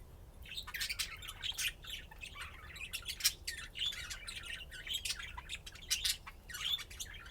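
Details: Pet budgerigars playing, giving a dense, busy warble of scratchy chirps and squawky notes, bursts coming every fraction of a second with short louder peaks throughout.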